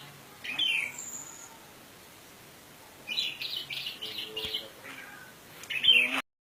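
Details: Indonesian orange-headed thrush, 'teler' lure song with rich fill to stimulate silent thrushes; a short burst, a long pause, then a run of quick repeated warbled notes and a final loud sharp flourish before silence.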